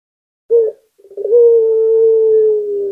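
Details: Local puter (Barbary dove) singing, used as a lure to get silent doves calling: a short clipped note, a pause, then a stuttering lead-in that swells into one long steady coo slowly falling in pitch.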